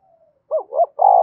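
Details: Spotted dove, Đồng Nai, urging call for exciting doves: a faint thin note, then two quick deep wavering coos and a longer steady hollow coo, loud and close.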